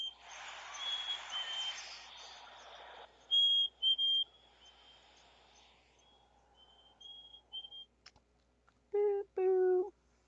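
Chickadee: thin, high whistled notes come in short bursts, then two harsh, buzzy notes close the clip. A hiss runs through the first few seconds.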